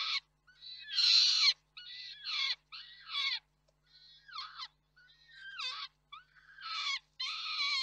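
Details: Peregrine falcons at a nest site in Reda (KOKSIK), 4 May 2023, as the male brings food and the female feeds it. Harsh, wailing, harmonic calls in bursts of about half a second, some with falling tails, separated by short silences.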